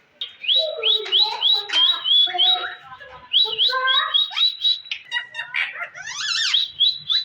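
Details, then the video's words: Pet Indian green ring-necked parakeet mimicking words: a fast stream of chattering, speech-like syllables and short rising whistles, several per second, ending with a wavering squeaky trill and steady high whistle notes. "amazing Indian Green ring neck talking parrot speakin"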